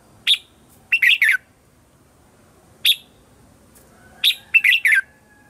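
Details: Red-whiskered bulbul morning song for calling wild birds: crisp single notes and short bubbling whistled phrases in separate bursts, quiet gaps between them.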